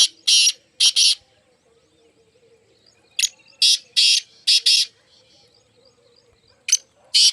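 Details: Partridge calling: loud, harsh, broadband notes in clusters of two to four, separated by pauses of one to two seconds, over faint chirping of small birds in the background.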